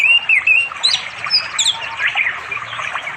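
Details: On an afternoon in a village forest by a flowing river in East Java, an orange-headed thrush calls for a female to mate, singing a quick run of bright, varied, tumbling whistles and chirps over other small bird calls.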